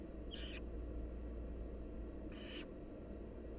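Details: A pair of short, breathy rasping screeches, about two seconds apart, from wild barn owl nestlings begging as their mother feeds them, over a low steady hum.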